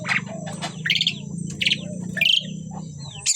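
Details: A pair of Asian pied starlings produces sharp, buzzy high squawks and short whistles spaced about half a second apart over a steady low hum.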